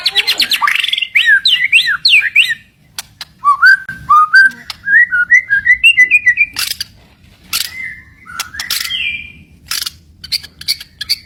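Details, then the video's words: White-rumped shama, a fighter bird said to have good shot notes, delivering varied loud whistled phrases: clear rising and falling slurs, rapid chattering runs and sharp clicking bursts separated by brief pauses. "burung murai batu fighter"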